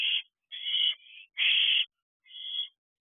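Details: At 10:28 pm on 18 June 2023, ten-week-old owlets around their nest box give four raspy, hissing screeches, the third loudest and longest, separated by short gaps.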